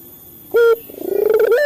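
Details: Male local Barbary dove lure call for captive birds: a short bright note, then a rapidly pulsing coo rising in pitch and ending on a higher held tone.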